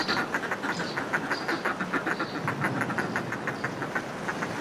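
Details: Close recording of northern fulmars in displaying groups on cliff ledges: steady chattering cackles in quick pulses, with repeated high house martin chirps and surf washing below.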